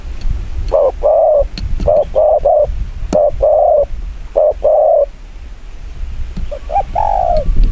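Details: Spotted dove giving very fast 'chiêu gù kích bổi' cooing: dense runs of short, hollow, mid-pitched coos in quick clusters, often two or three notes run together, with brief gaps and low background rumble.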